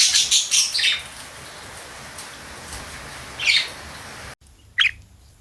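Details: Pet cockatiel singing in the morning with budgies joining in: bursts of bright, high chirps and squawks in the first second, a lone squawk after a pause, then a final short chirp after brief silence.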